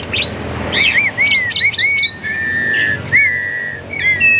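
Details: Asian pied starling held in a friend's collection, lure song for prompting other birds to sing: a few quick chirps, then clear drawn-out whistles sliding up and down, with a long steady whistled note in the middle.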